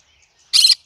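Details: Cinnamon green-cheeked conure singing: a single short, harsh, broadband squawk lasting about a quarter second, set against near silence.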